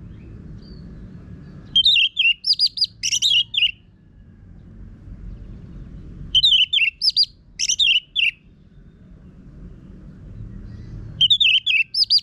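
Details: An orange-headed thrush in full song with a rough voice, used as a lure to set other birds singing, sings loud, high phrases of varied whistles and harsh notes, each about two seconds long, every four to five seconds.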